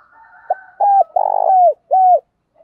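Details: Spotted dove calling, a recording used to excite and train kept doves in the morning, with male and female birds. One phrase: a short clipped note, a smooth coo, a long grating coo that slides down, then a clear closing coo.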